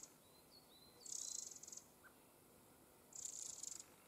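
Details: Eurasian wren family near its nest, several young birds recently out of the nest; two dry, buzzy, very high rattles, each under a second and about two seconds apart, with faint thin whistled notes in between.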